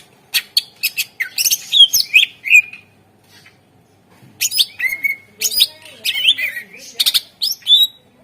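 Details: Energetic greater green leafbird song for drawing reluctant birds into singing: two dense phrases of rapid chips, twisting whistles and buzzy notes separated by a brief pause.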